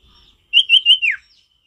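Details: Vocal male sirtu in a natural forest setting gives a quick phrase of four bright chirped notes in a row, the last one sliding downward, with faint background chirps.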